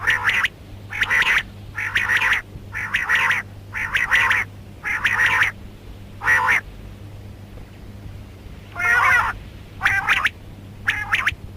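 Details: A female rain quail calling in the morning gives harsh, buzzy notes, each half a second long, about once a second, over a low steady hum.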